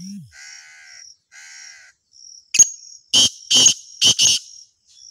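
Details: Black francolin (kala teetar) calling on a river bank: four loud, harsh, grating bursts in quick succession near the end, preceded by softer buzzy harmonic notes, over a steady high insect-like whine.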